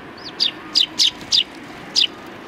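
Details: Eurasian tree sparrows resting after feeding, recorded 26 January 2020: five sharp, high chirps, each falling quickly in pitch, spaced irregularly about half a second to a second apart over quiet background hiss.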